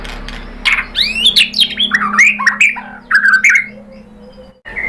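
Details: White-rumped shama song used as a lure to stir another bird into singing: rapid rising and falling whistled sweeps and chattering notes in two busy bursts, then quieter, with a faint steady low hum.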